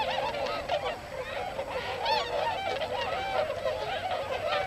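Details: Tundra swans wintering in rice fields at Hakuta, Yasugi, Shimane, Japan, a flock of several hundred that has come from Eurasia; dense overlapping chorus of high, nasal, bugling honks, many birds calling at once without pause.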